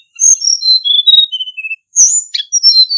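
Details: Male hill blue flycatcher (Cyornis whitei), used as a lure call, singing a high, sweet phrase of clear whistles stepping down in pitch, then a second phrase opening with a sharp rising note.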